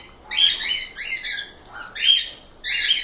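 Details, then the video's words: Cockatiels kept as pets squawking, four loud grating chirp bursts with a bright whistled core, evenly spaced about every second. "Calopsitas Live Canto dos pássaros"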